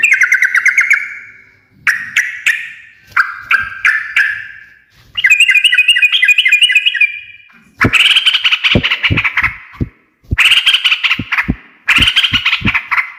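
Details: Sooty-headed bulbul in a lively 'ngekek' chattering bout, a song claimed to make other birds respond at once; varied bursts of bubbly notes and fast trills, later joined by loud sharp clicking taps.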